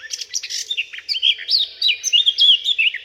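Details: Eurasian blackcap in the UK, whose clean melodic song starts softly and builds to a crescendo: quick varied warbling phrases, a scratchy start giving way to louder fluty whistles over three seconds.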